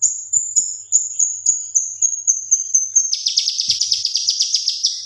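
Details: Male kinoi leafbird singing actively, used as a tutor recording for training other birds: a long, high, thin whistled note with rapid pulses for three seconds, then a lower, dense, buzzy trill of quick repeated notes.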